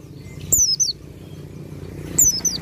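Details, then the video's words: Pleci dakun white-eye in full 'ngalas' song, close to 'nembak' style: two brief high whistled phrases, each a sharp downward slur then a few falling notes, about 1.7 seconds apart, over a steady low hum. "PLECI DAKUN FULL NGALAS HAMPIR NEMBAK"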